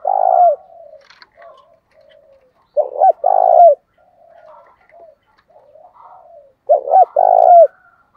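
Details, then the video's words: Spotted dove cooing in the 'thổ' style blended with fighting urging, used to rouse wild-caught doves that rarely coo. Loud, deep two-part coos repeat about every three to four seconds, with soft murmuring notes between them. "cu gáy giọng thổ pha thúc đấu, tiếng gáy trị chim cu gáy bổi lười gáy lâu năm"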